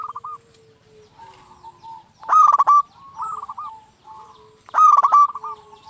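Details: Local zebra dove singing as a lure to stir other zebra doves to answer: loud stuttering cooed phrases near the same pitch, rolled into quick pulsed notes, twice in six seconds, with softer cooing from other doves between.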